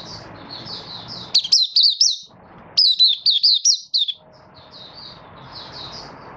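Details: Malaysian oriental white-eye, a caged hobby bird in minor moult and building form, recorded 24 August 2023, singing its opening song: rapid bursts of high, sweeping, slurred whistles in two loud phrases, softer twittering before and after, faint room hiss.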